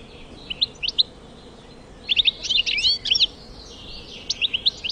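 A European goldfinch sings bright, tinkling twitters: quick clusters of high, liquid notes in three bursts, the middle one a rapid jangling run.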